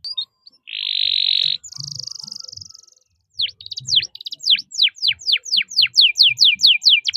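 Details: Canary singing the long cuit cuit roll: a loud buzzy note, a higher fainter buzz, then a steady run of sharp downward-sweeping chirps repeated roughly every quarter second.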